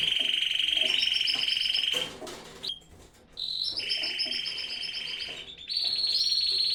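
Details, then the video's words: Canary song in an aviary during breeding: steady high rolling trills broken by a short quieter gap and a brief noisy burst, then resuming at a slightly higher pitch. "Así suena mi aviario en plena cria"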